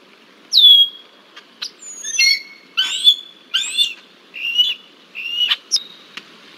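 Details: Red-winged blackbird persistently harassing a young bald eagle at the Decorah eagle nest, Iowa, on 20 July 2023, giving sharp, high whistled notes that slide downward, mixed with buzzy chattering calls, about eight bursts in six seconds.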